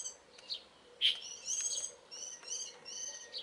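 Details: Early-morning birdsong recorded in mid-April, a series of short harmonic notes and bright chirps, one loud clear note standing out, the phrases repeated with brief pauses between them.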